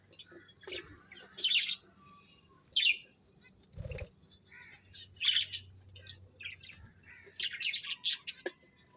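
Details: Budgerigars chirping in separate squeaky bursts spaced a second or more apart, with a brief low thump partway through and quiet hum between calls.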